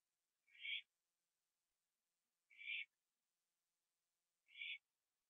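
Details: Owl late at night on 21 September 2011, eating a gopher on a porch; three coarse, breathy screech bursts about two seconds apart against a faint steady hiss.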